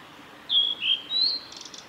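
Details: Male blue-and-white flycatcher singing at Kanazawa forest road by Lake Miyagase, Japan, on 17 May 2020: three clear whistled notes sliding high then lower, ending in a quick buzzy trill.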